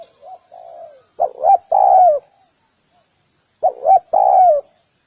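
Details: Spotted dove with a low soft coo at first, then two full phrases of quick paired coos ending in a drawn-out descending coo, with a pause between them.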